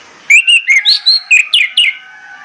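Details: Loud, close orange-headed thrush morning song for stirring birds into singing: eight bright whistled notes in about two seconds, some level, some sliding upward, with a faint steady tone running underneath.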